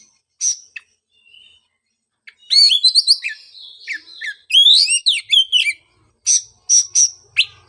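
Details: Oriental magpie-robin singing to prompt a bird silent since moulting; scattered sharp chirps and a thin whistle lead into a rich burst of rapid twittering whistles, followed by spaced short chirps.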